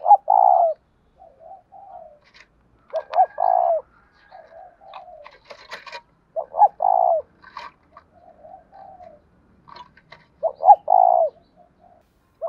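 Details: Repeated coos of a spotted dove in the 'đồng thổ' voice style: four strong phrases, each two short notes and a long purring coo, linked by soft murmured coos, with scattered clicks and taps between.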